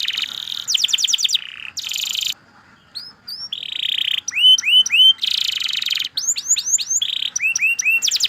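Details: Canary song alternating between rolling trills, short pauses and rich curved whistled notes, delivered in quick repeated groups.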